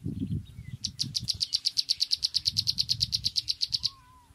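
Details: Rapid chattering from a sunbird: roughly twenty-five crisp, high-pitched ticks delivered about eight per second, then a thin, lower whistle. Low thumping noise runs underneath.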